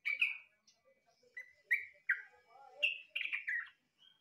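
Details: A trucukan, or yellow-vented bulbul, whose song is likened to a green leafbird's: loud, clear whistled notes and slurred chirps in quick bursts, ending in a rapid descending jumble, with softer low notes between.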